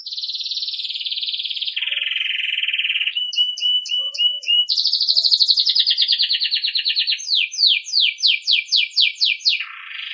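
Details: Belgian canary singing campainha style, a tutor recording for young birds: long buzzy trills shifting pitch, a run of short whistled notes, then a rapid series of clear descending whistled slurs and a closing trill.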